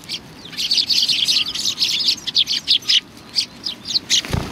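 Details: Sparrows arriving for food at Tenmangu shrine, 25 November 2020. Busy, continuous high-pitched chirping from several birds, ending with a dull low thump.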